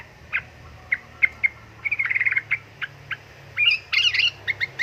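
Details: Female sooty-headed bulbul calling to a male, giving clipped chirps, then a fast rattling run of notes and a brighter burst of higher squeaky notes near the end.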